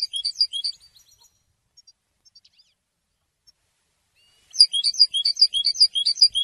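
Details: Goldfinch song for training, a short burst of rapid high twitters, a long quiet stretch with tiny faint notes, then another lively twittering phrase.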